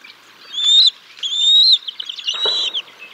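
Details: At the Decorah North bald eagle nest on 6 May 2022, during a fish feeding of the chicks by the parents: two drawn-out high whistled squeals, then a rougher broken call with a brief low thump.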